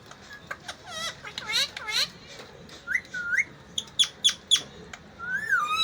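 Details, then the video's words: Parrot vocalizing in talk-like bursts: buzzy harmonic chatter, two upward whistled notes, three sharp clicks and a final long, bending whistle. "parrot talking"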